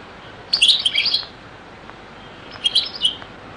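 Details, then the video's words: Two short bursts of European goldfinch song, Beni Messous 'les avocats' zaboka style from a very old recording: quick high twittering, chiming notes, the second burst softer, with steady background hiss between them. "تغريد - تسجيلة جد قديمة بني مسوس ليزافوكا | chant beni Messous les avocats zaboka"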